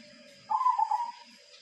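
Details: Silver perkutut, a zebra dove kept for a long time, utters one brief rolling, quavering coo with slight pitch wobbles, followed by quiet with a faint high electrical whine.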